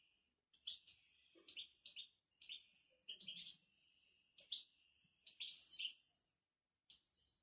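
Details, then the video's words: European goldfinch from Morocco singing 'betbta': rapid clusters of sharp, high tinkling notes and metallic twitters, delivered in quick phrases with short gaps, with a clean background. "بتبتة الحسون المغربي"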